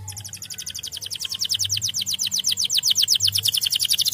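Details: Canary singing at once in answer to another canary's song: a fast, even trill of high, bright notes, about four per second, growing louder and ending in a rolling, buzzy chatter.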